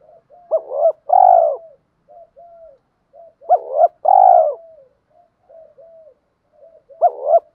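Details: Spotted dove decoys, both sexes, cooing to stir caged doves into fighting: loud phrases of clipped notes plus a rich rolling coo about every three seconds, separated by soft, broken murmuring notes.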